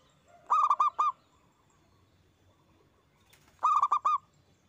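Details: Zebra dove, a loud local perkutut used to coax other doves into song: two phrases of four quick ringing coos, about three seconds apart, with a faint lower note before the first.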